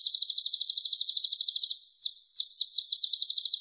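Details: Rapid, high-pitched tinkling trill from a purple-throated sunbird (kolibri ninja). The steady pulses give way to a gap marked by a few sharp separate chips, then the quick pulsing series returns. The background is clean.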